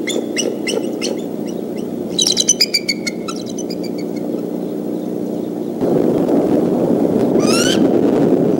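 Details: Upset bald eagle parents raise the alarm at a suspected fox squirrel intruding on their nest at Decorah, 17 April 2014, afternoon; quick runs of clipped chittering notes, a later rising squeal, and a louder rushing background toward the end.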